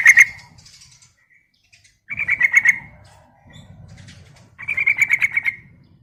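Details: Female yellow-vented bulbul calling to a male: three bursts of rapid, bubbly chattering notes, each about a second long, separated by short pauses, with a low rumble between bursts.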